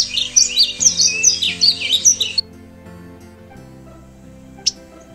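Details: Painted Bunting in South Florida after a cold front, giving a quick run of high, sharp chips and buzzy notes for about two seconds over a steady background hum.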